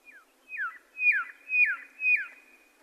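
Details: Red-lored whistler giving a run of five slurred whistles roughly every half second. Each begins on a steady high pitch and then drops in a quick glide. The first note is faint and the later ones are louder.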